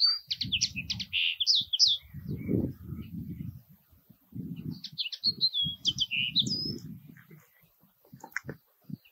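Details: Common linnet giving twittering calls, quick bursts of high chirping notes in two groups, over frequent low thumping and rumbling handling noise.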